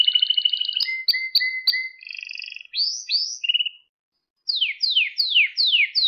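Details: Canary song for teaching young canaries to sing: pulsed trills and repeated chips, upward-curving whistles, a brief pause, then a run of sharp descending sweeps.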